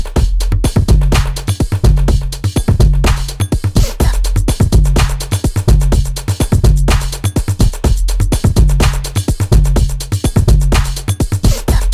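Loud electronic dance music with a steady thumping bass beat and no animal voice.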